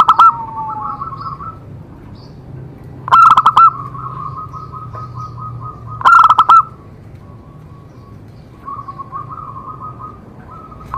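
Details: Zebra dove singing as a prompt for other doves: loud, clipped cooing bursts roughly every three seconds, each followed by a run of softer beaded, evenly pitched trills.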